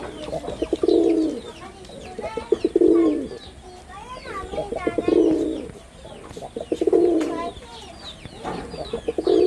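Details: Repeated low rolling coos from a male red-bordered wild pigeon, five phrases roughly every two seconds, while other birds chirp and twitter busily in the background.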